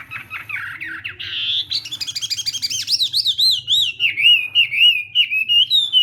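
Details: Morning voice training by a contest hwamei: harsh, buzzy notes open into a quick ladder of bouncing whistles, settling into a sweet, wavering, gliding warble that continues to the end.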